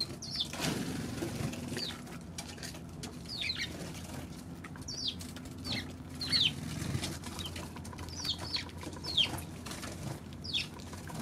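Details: Eurasian tree sparrow heard on 16 March, its thin falling chirps repeated irregularly about every second, softer and half-buried under a persistent low rumble.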